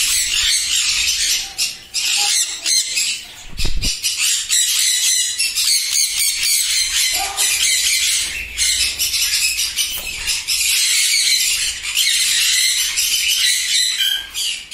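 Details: Sun conures on a breeding farm in East Medinipur, West Bengal, India, sixteen captive pairs, screeching together in a steady wall of shrill, raspy squawks, with a short low thump near the middle.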